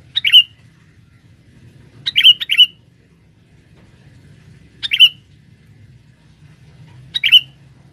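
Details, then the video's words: Male sooty-headed bulbul calling as a forest lure to attract females: sharp, clipped chirps given singly or as a quick double, spaced two to three seconds apart over a faint low hum. "pikat burung kutilang jantan buat pancingan di dalam hutan"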